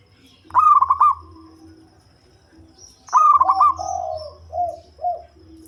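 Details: Local zebra dove with a bass voice, used to lure birds, gives two staccato cooing phrases. The second is followed by lower, softer coos and faint high chirps.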